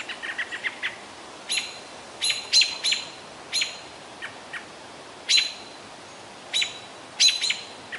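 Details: Several American robins mobbing a juvenile great horned owl in Minnesota's boreal forest around noon on a hot day near 90F. Sharp, high, clipped calls come in bursts, spaced irregularly about a second apart, over a quiet, steady background hiss.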